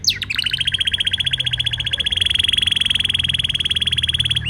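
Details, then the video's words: Canary singing beneath a wisteria trellis in Nara Park, Japan. A sustained, very rapid, even trill of high ringing notes runs the whole stretch after a few brief opening chirps, with low outdoor rumble underneath. "Singing voice of 🐤Canary"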